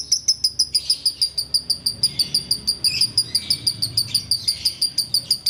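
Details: Sooty-headed bulbul in ngekek style, heard while waiting to break the fast: a long, steady run of sharp, high, piercing notes repeated about three times a second, with softer warbling notes beneath.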